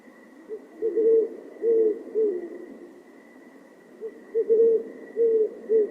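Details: An adult pair of great horned owls duets during courtship season. The deep, soft hoots come in short stuttered groups, with the higher-pitched female answering the lower male over a steady, thin insect drone.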